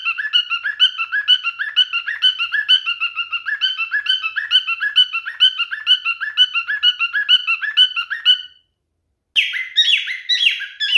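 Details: Male cockatiel singing in mating behaviour: long regular chirp series for eight seconds, a short silence, then louder, harsher squawking notes.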